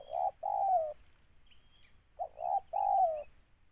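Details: Spotted dove, a lure target, calling two hoarse cooing phrases, each a brief note then a long downward-sliding coo, separated by a gap of over a second, with thin high whistles faintly behind.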